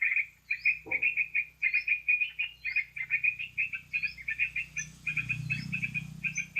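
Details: Sooty-headed bulbul lure sound for catching birds: quick chirpy chatter of repeated bright notes, thin upward-slurred whistles recurring above, and a low hum entering in the second half.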